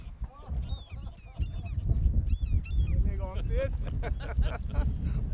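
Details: White-tailed eagles at a nest on Smøla, Norway, in spring or summer, giving quick runs of high, yelping notes, several each second, with some lower honking cries, over steady low wind rumble.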